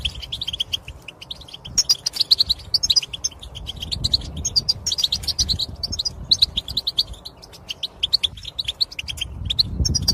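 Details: Goldfinch song meant to excite males into singing, with spaced bursts of bright, high twittering notes over a low background hum and occasional rustling.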